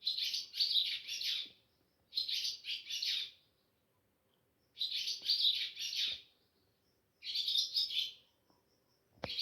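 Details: At Sehri time on a moonlit night, a swallow (Ababil) calls at a home, recorded by mobile phone; paired bursts of shrill, chattering high trills, roughly every two to three seconds, with a brief thump at the end.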